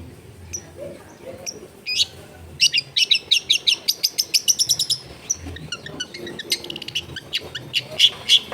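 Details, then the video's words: Long-tailed shrike kept caged at home in a dense residential area, played as warm-up song to get it singing again: after faint scattered notes, a fast run of sharp high chips followed by scratchy, varied chattering phrases over background hum. "PEMANASAN CENDET MACET BUNYI BIAR GACOR LAGI!!"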